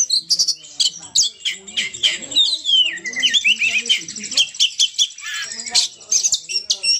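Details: Oriental magpie-robin (kacer) in forceful song, abrupt sharp notes, rising and falling whistles and buzzy chatter, with irregular short breaks between bursts.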